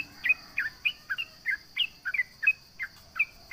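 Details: Sooty-headed bulbul singing hard to taunt rivals: quick, bubbly, slurred two-part notes, about three each second, some rising and some dropping. A steady shrill insect hum sits behind them.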